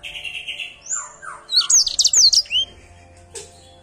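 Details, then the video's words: Short burst from an Edel Sanger canary: soft lower whistles first, then a sudden cluster of loud, high, sharply rising and falling notes, fading into quiet. "Edel sanger gacor"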